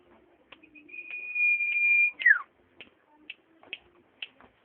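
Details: Common iora giving a long, level, clear whistle lasting about a second, finished by a steeply falling slurred note, followed by several short sharp ticks.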